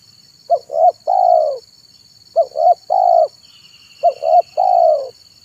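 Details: Zebra dove singing in the afternoon as a decoy for wild birds: three identical phrases about every 1.8 seconds, each two short hooked coos then a longer rolling falling note, over a high buzzing insect background.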